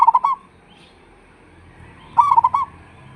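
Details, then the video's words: Local zebra dove with a big voice used to provoke answering doves; two short bubbling coo phrases of quick hiccuping notes, about two seconds apart, over a quiet background. "pancingan suara perkutut lokal,suara besar auto nyaut"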